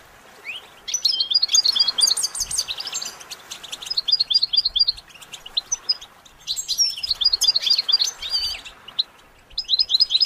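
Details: Training song of a goldfinch, with lively, high twittering phrases of quick chirps and buzzy trills. Phrases run several seconds each, separated by short gaps.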